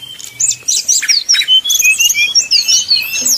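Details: Brown-chested jungle flycatcher in a flute-like 'nyuling' song used as a lure to provoke rival birds to sing: quick high whistled notes, slurred up and down, packed densely and irregularly, with a faint low hum beneath.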